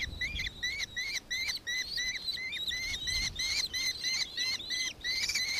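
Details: Steady, shrill trill of a nankeen kestrel in Victoria, Australia, recorded 4 December 2024: sharp high notes repeated about three times a second, evenly spaced, over faint low background noise.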